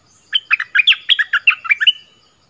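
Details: Caged decoy bulbul from southern Thailand giving a quick phrase of about ten bright, bubbly chirped notes that jump up and down in pitch, each sharply separated, ending on a drawn-out whistle.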